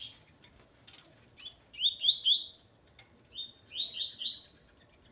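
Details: Male coleiro kept with his female gives two phrases of rapid, sweet, upward-stepping chirps after a few scattered soft ticks, in an otherwise quiet setting.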